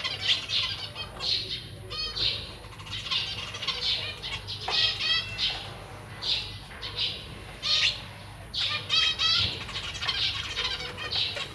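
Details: Captive zebra finches: newly hatched chicks beg with rapid, high, hoarse buzzing bursts as the busy parents feed them, mixed with short nasal adult chirps every second or so, with some wing flutter.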